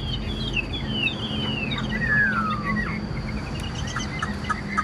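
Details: Caged Chinese hwamei singing long, clear whistled notes that slide downward one after another, then shorter higher whistles, over a steady background hum and low noise.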